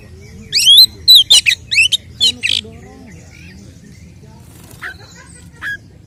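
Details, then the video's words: Oriental magpie-robin fighting song provoking other males: a rapid series of loud harsh buzzy notes in the first two and a half seconds, followed by mostly quiet with a few faint chips. "Kacer gacor 🔥TARUNG KONSLET nembak BUKA EKOR pancingan efektif UNTUK mendongkrak EMOSI burung KACER"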